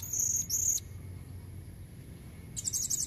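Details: Female blue-crowned hanging parrot calling to lure males: a thin, high whistled note at the start, a long quiet stretch, then a brief fast buzzy trill at the end.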